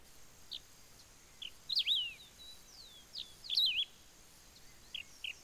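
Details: Wedge-tailed Grass-Finch song at Ouro Branco, Minas Gerais, Brazil: short high whistled notes and slurred warbling phrases, about two bursts in a few seconds, over faint background hiss.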